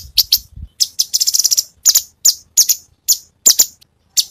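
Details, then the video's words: Cucak cungkok in full song with varied tembakan: loose series of bright, high, scratchy chirps, some doubled or grouped into short quick runs, with small silences between. "Cucak Cungkok burung masteran Full variasi Tembakan"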